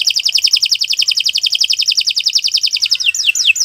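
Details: Domestic canary singing for training: a long, very rapid, even trill of high sharp notes lasting three seconds, ending in a few slower descending whistles.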